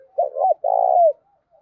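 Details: Decoy spotted dove used to lure wild doves, singing in the local 'giọng thổ' style: a short two-part coo, a quick double note followed by a longer, steady, throaty coo that slides down at the end.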